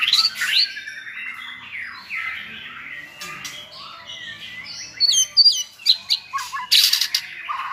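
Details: Several good-singing white-rumped shamas tutor a selected bird in a clear song style; a flowing run of varied whistles, then a burst of sharp rapid chips and crisp flicked notes.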